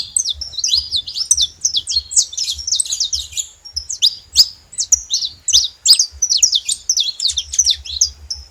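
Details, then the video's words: Free-living saffron finches in the wild giving a lively song of rapid chirps and quick up-and-down slurred notes, run together in dense phrases with short gaps, over a low background rumble. "canarinhos da terra livre na natureza"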